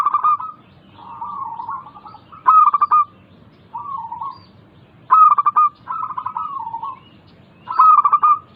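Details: Song of a local perkutut (zebra dove), used to coax reluctant caged doves into singing: repeated phrases of soft, rolling coos, each ending in sharp staccato notes, recurring every two to three seconds.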